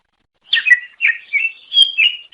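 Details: Short cucak ijo luring phrase: four or five clear, slurred whistles in quick succession, each dropping slightly in pitch.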